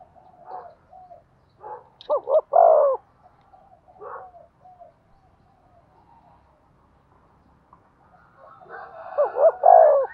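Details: Cooing from a spotted dove decoy for luring other doves: two clear phrases of short hoots and a longer falling note, with softer scattered coos and chirps from other birds in between.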